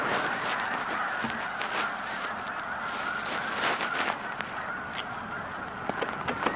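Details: Large flock of snow geese at Blackwater National Wildlife Refuge, an unbroken wall of overlapping honking calls with occasional sharper individual notes standing out above the chorus.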